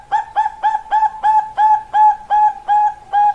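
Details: A caged zebra dove of the Bangkok perkutut type gives a rapid steady series of about eleven ringing, slightly rising coo notes on one pitch, close together in an even rhythm.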